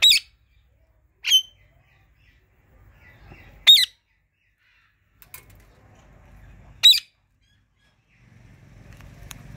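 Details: Indian ringneck parakeets, a pet talking pair, call loudly over a pomegranate meal. Five piercing, harsh single squawks come a couple of seconds apart, with a soft low rumble near the end.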